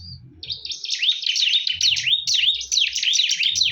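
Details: Bar-winged prinias fighting fiercely. After a short high note, a continuous string of rapid, sweeping chirps follows, repeated about two or three times per second and fairly irregular. A low hum is present.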